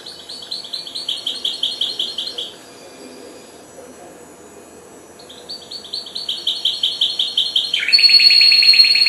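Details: Four-month-old goldfinch hybrid that has just begun to sing: rapid series of bright repeated notes, about three per second, two trilled phrases separated by a short pause, ending in a louder, denser buzzy passage.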